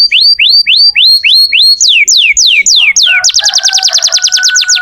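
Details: Energetic canary singing: loud, clear upward-slurred whistles repeated several times a second, shifting to high falling notes, then a very fast trill of descending notes over a steady lower tone.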